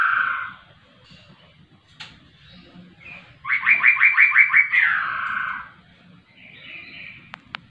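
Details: Laughingthrush singing vigorously. A burst of about eight quick, rising whistled notes gives way to a drawn-out, descending slur, with softer phrases and a few sharp clicks before and after. There is a low murmur in the background.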